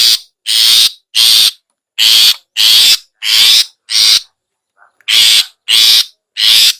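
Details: Long-tailed shrike ngetet call, used as a lure for caged shrikes that are slow to sing. Harsh, buzzy rasping notes repeat at an even pace, about one and a half per second, with a brief pause midway.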